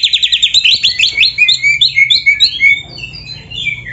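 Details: Oriental magpie-robin (kacer) singing a canary-filled song: rapid, varied high whistles and trills, with quick chattering notes sliding and twisting, fading to scattered softer phrases near the end.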